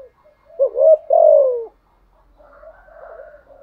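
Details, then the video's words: Decoy spotted dove repeating its 'thúc gù' coo continuously in 'giọng thổ' voice: a loud rolling coo sliding down at the end, followed by quieter murmuring, bubbling notes. "chim cu mồi thúc gù liên tục"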